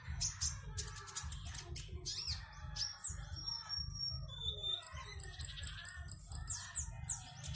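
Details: Caged konin in an Indonesian online singing competition, from Singkawang in West Kalimantan: sharp chirps and descending whistled slurs, then a run of quick high ticking notes near the end, low rumble throughout.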